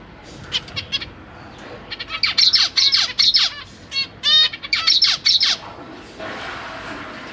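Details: Zebra finch young and parents together in a large cage, September 2023, chicks newly fledged and practising flight; quick irregular chirps and nasal notes, busiest mid-clip, then fading into faint hiss.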